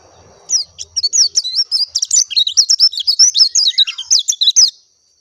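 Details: Oriental white-eye of the dakun type, giving a clear natural song: a fast, unbroken run of high, sweet twittering notes, bright slurred whistles tumbling up and down for about four seconds, with a faint low rumble at the start.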